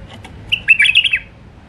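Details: Alwazi-style song of a wild Iraqi white-eared bulbul: a single lively phrase of rapid, liquid whistled notes that tumble and dip briefly, preceded by a few faint clicks.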